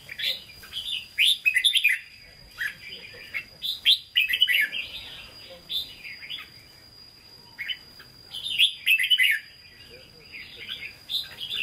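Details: Caged red-whiskered bulbul singing in the Hue style ('hót ché'): bursts of rich, fast warbled and whistled notes, each phrase about a second long, with short pauses between them.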